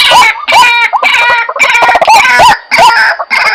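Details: Lure sound for attracting white-breasted waterhens, dense and harsh: overlapping upslurred croaks with rich, buzzy overtones, repeated roughly twice per second with few gaps.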